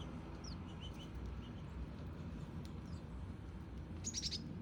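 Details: Male and female house sparrows (Passer domesticus) give a few faint, high chirps early on, then a quick burst of louder, rasping cheeps near the end, over steady low rumbling background noise; calls.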